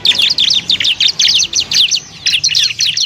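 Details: Tutor song from a bar-winged prinia: evenly spaced bursts of bright, high-pitched chirps, about four per second, forming a lively continuous chatter.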